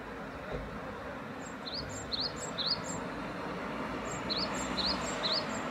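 A great tit repeats a bright two-note phrase, a high thin note then a lower, rising one, about twice a second in two bursts, over steady traffic-like rumble.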